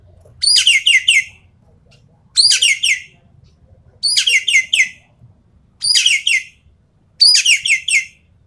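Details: Five evenly spaced harsh phrases from a Javan pied starling in 'full tembakan' rapid-fire song for champion-bird tests, each a quick cluster of three or four buzzy, downslurred notes, about every 1.7 seconds, over quiet background.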